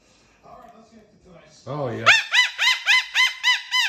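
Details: Pet cockatoo making playful squeaky-toy sounds: a low, wavering grumble, then a loud run of bright, arched squeaks repeated about three times a second.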